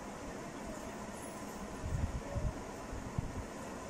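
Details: Steady low rumbling background noise with a few dull thuds near the middle and end, and no calls or voices standing out.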